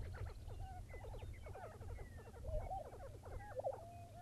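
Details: Several Lesser prairie chickens calling at dawn near Buffalo, Oklahoma: a dense chorus of clucks, cackles and short wavering whistles overlapping without pause, over continuous low wind rumble.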